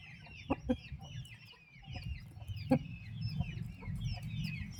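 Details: Young turkey chicks in their mother's care chirp steadily in high, slurred notes over a rumbling low background, punctuated by a few sharp clucks and knocks.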